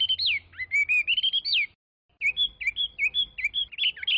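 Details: Chinese hwamei song: loud clear whistled phrases sliding up and down between mid and high pitch, a rapid run of varied notes, a brief pause near two seconds, then quicker repeated whistled notes.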